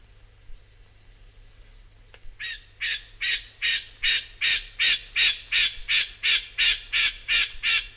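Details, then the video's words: Rufous Scrub-bird starting after a couple of quiet seconds into a long, very regular series of loud, harsh chip notes, about two and a half per second, growing slightly stronger. "Rufous Scrub Bird"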